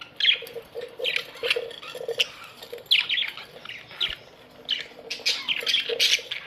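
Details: Colony of pet Australian budgerigars: rapid, grating chirps and squawks repeated in irregular bursts, several birds calling at once, with a steady faint hum beneath.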